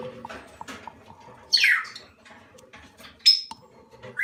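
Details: Salmon-crested cockatoo nestlings, up to one month old, give two loud rasping squawks that slide downward, separated by quiet soft murmurs and faint human speech in the background.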